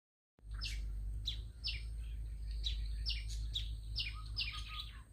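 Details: A small bird with a big voice sings bright chirps and short sweeping notes, repeated in quick bursts over about five seconds, with a steady low hum underneath.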